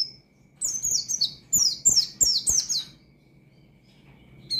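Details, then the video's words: A single energetic phrase from an Oriental white-eye singing ngalas-style to challenge rivals: about eight fast, high, falling chirps in just over two seconds, followed by quiet and the start of a new phrase. "Burung Pleci Gacor Ngalas Nembak Mangil Lawan,Memicu Emosi Pleci Bahan"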